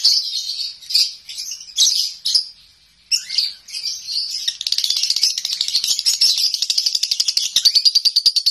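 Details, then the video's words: Home-kept lovebird singing in the konslet style: bursts of high, rapid chattering with short pauses in the first half, then an unbroken, fast, buzzy trill of repeated notes to the end. "Lovebird konslet"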